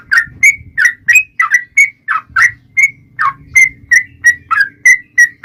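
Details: A yellow-vented bulbul's fighting song, played as a lure to draw answers from other bulbuls. Rich slurred notes, several dropping in pitch, come about three a second against a faint low rumbling background.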